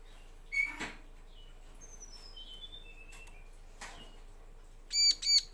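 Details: [7, 'Bar-winged Prinia sound used as a lure to prompt male and female to answer: scattered thin whistles, a couple of clicks, then two loud buzzy notes at the end.']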